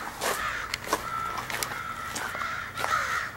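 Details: Harsh, drawn-out cawing from a large crow gathering recorded 4 April 2015, birds perhaps picking mates; several overlapping voices call in quick succession, with sharp knocks and clicks between calls.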